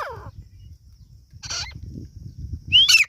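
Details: Partridge chicks (Irani teetar) calling: a quick descending note opens, a short burst follows mid-way, then a loud, bright, rising and falling whistled peep near the end, over a low background rumble.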